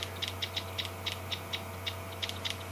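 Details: A Chinspot Batis alarm-calls at lions on an evening safari drive in June, sharp, dry ticking clicks, about a dozen in under three seconds at an uneven pace, over a steady low engine hum.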